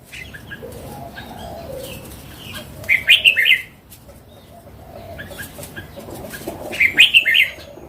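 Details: Wild red-whiskered bulbul singing: short bright warbled phrases of a few quick chirpy notes, given twice about four seconds apart, with faint rustling and background noise.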